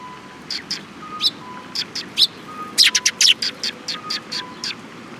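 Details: Several sparrows come to be fed near a bridge on 18 May 2021, giving a busy burst of sharp, high chirps that cluster and overlap, with a faint steady tone in the background.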